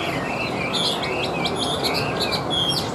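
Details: Tabletop-caged tame Chinese hwamei giving loud, high whistled notes and short warbled slurs in quick succession over a faint steady background hiss.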